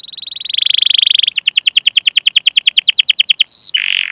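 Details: Canary training song used to lure young or silent canaries into singing: a long steady high whistle, then a fast rolling run of rising chirps that ends in a short buzzy note and one falling whistle.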